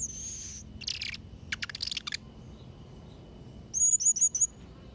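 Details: Blue-crowned hanging parrot delivering a few isolated shrill, hissing bursts, a rapid stutter of thin clicks, then a quiet pause before four quick, piercing, upslurred squeaks close together.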